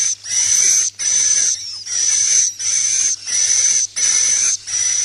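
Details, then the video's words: Swiftlet call used to lure birds to roost: a regular series of drawn-out, high, rasping buzzes, each about half a second long with short pauses, roughly seven in five seconds. "SUARA BURUNG WALET🐦 INAP PLUS"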